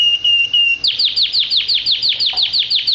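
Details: Pet canary sings a level whistled note for almost a second. A loud series of about twelve sharp downslurred chips follows, repeated at roughly five per second.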